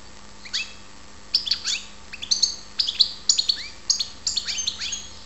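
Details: European goldfinch in Ptolemaida, Greece, giving sparse, crisp high chirps and upslurred whistles in short bursts after a quiet start, against a steady faint background hiss.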